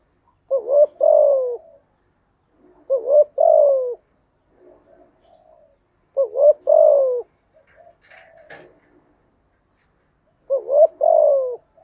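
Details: Spotted dove song played to train newly caught doves: four phrases of rising double coo plus long falling coo, spaced about three seconds apart, with a brief clatter midway.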